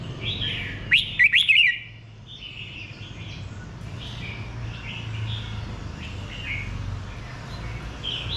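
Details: Red-whiskered bulbul singing: one loud burst of four quick, bright warbled notes rising and falling near one second, followed by softer distant chirps from other birds over a low steady hum.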